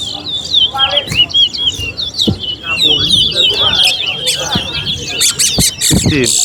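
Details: Chestnut-bellied seed finch, locally called towa towa, competing in a bird race at Alligator Park. A continuous high, jumbled warbling song runs throughout, with scattered clicks and a person counting aloud.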